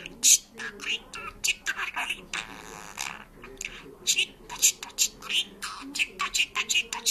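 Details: Georgian speaking and singing parrot chattering a long, uneven stream of clipped, hissy syllables, some sharp and loud.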